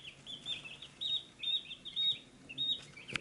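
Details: Young chickens at a feed dish utter clear, high cheeping notes, short flat-topped peeps repeated roughly twice a second, ending with a sharp tap or click.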